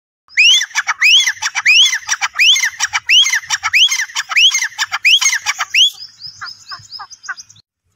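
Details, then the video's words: Grey francolin (teetar) gives loud, harsh, rising squawked notes, about three every two seconds, ending in a run of shorter clipped notes. "teetar awaz || teetar voice || gray francolin || teetar ki awaaz"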